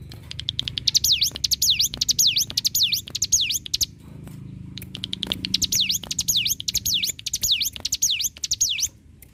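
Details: Singing hill prinia, known locally as ciblek gunung, offered as tutor song: two bursts of high V-shaped swooping whistles with clicking notes, separated by a brief pause.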